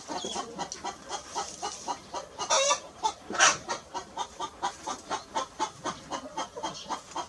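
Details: Hen clucking steadily, a rapid series of short, throaty clucks repeated more than once a second, with a few louder, sharper notes near the middle against a noisy farmyard background.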